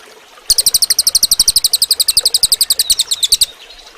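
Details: Cililin song used as training audio for other birds: a fast, even run of about thirty high, sharp chirped notes, roughly ten per second, over three seconds against a quiet background.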